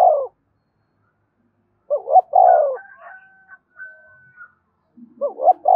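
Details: Spotted dove giving the urging 'gáy thúc' style of cooing, meant to set newly caught captive birds calling all day: short double-note coos then a longer falling coo, repeated about three seconds apart, with faint thin whistles between.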